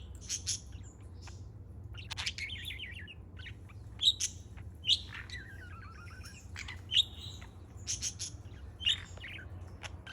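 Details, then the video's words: A parrot plays and chirps on July 4, giving loud piercing peeps at uneven intervals plus bubbling warbled phrases and brief trills, low hum in the background. "Bird Playing with Chirping Sounds"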